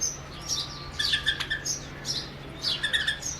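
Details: A pair of white-eared bulbuls on a window sill in Rajasthan sing at their mirror reflection, treating it as a rival: bright bubbling chirps and short whistled phrases in quick bursts; low steady hum.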